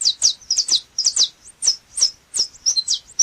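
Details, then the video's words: Canário chapinha, a saffron finch, in strong, snapping song: rapid clusters of high, downward-sweeping chirps, doubled in places, with short pauses between bursts. "Canto do canário chapinha"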